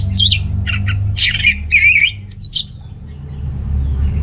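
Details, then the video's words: Orange-headed thrush singing to rouse males short on breeding drive: rapid run of rich warbled phrases, wavering whistles and harsh chirpy notes in quick succession over a steady low hum. "ANIS MERAH Gacor Untuk Pancingan AM Jantan yang Kurang Birahi"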